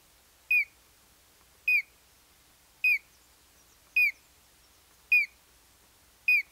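Collared crescentchest giving six short, sharp, hooked notes, evenly spaced about one per second, against a quiet background.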